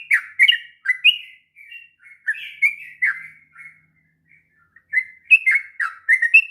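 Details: Sooty-headed bulbul giving its long ngropel song used to train young birds; bursts of whistled, slurred notes, softer in the middle, with a pause before a lively run of phrases resumes.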